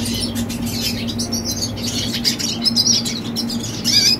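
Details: A young red siskin sings rapid high twittering with buzzy trills and a few clear, sliding whistled notes near the end. A low mechanical hum runs in the background.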